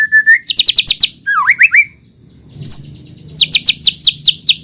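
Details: Lure song of a white-rumped shama to get others singing: a steady whistle, quick rattling trills and a zigzag phrase, a pause, then a fast repeated series of sharp notes.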